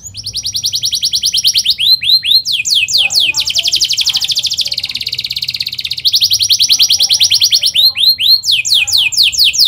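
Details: Atlantic canary's fast, dense song, offered as tutoring for young canaries: series of rapid descending chirps, a buzzy rattling roll, then more quick chirps; faint lower notes appear in the background.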